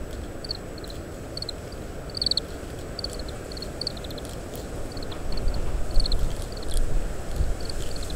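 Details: Oriental greenfinch giving soft ground calls while eating seeds from split summer camellia fruits, husking them; short clusters of two to four high, thin notes, recorded with a parabolic microphone against strong roaring wind.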